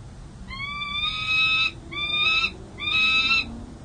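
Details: Peregrine falcon at the San Jose City Hall nest site in April 2023, a second-year male guarding three eggs and territory; three harsh, drawn-out wailing calls about a second long each, separated by brief pauses, steady low background hum.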